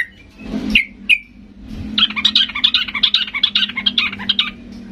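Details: Sooty-headed bulbul in an aggressive, excited song aimed at provoking other birds to respond; a few sharp chirps, then a long, fast, jangling sequence of bubbly notes over a low steady hum.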